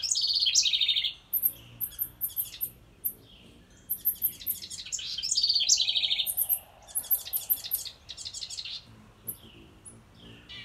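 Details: Two energetic trilled bursts from a wren near a birdhouse, separated and followed by sharp, high chips and thin notes repeated in quick runs.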